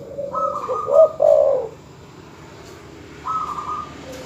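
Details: Dove calls made to provoke rival birds: a strong, low, swelling coo phrase with a thin, higher, level note above it, then a quiet pause and another faint high note.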